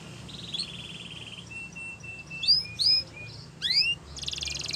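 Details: Canary song used for training young canaries to sing: a buzzy low trill, then a long steady whistled note, bright sweeping slurs, a rising double sweep and a fast high rattling trill at the end, with faint background hum.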